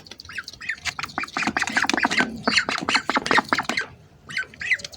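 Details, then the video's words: Several hungry ducks squawk in a dense, rapid run of short harsh calls, crowding over one another before a short pause and a few final calls. "hungry ducks making sounds"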